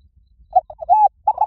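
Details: Spotted dove lure call with short clipped coos and a longer slurred croon, then another note that is cut off at the end.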